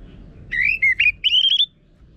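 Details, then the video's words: Short phrase of an orange-headed thrush's song, from northern Bali, played to train birds to sing: a rough whistled note, a brief break, then a rising, warbling whistled run lasting about a second. "Pancingan ANIS MERAH Gacor Suara Kasar Ini Membuat Burung Ikutan Ngeplong"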